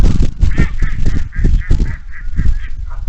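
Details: Geese honk in a quick, steady run, about three nasal honks a second, with softer calls of ducks and other waterfowl over heavy low wind rumble; morning on the marsh at Iroquois National Wildlife Refuge.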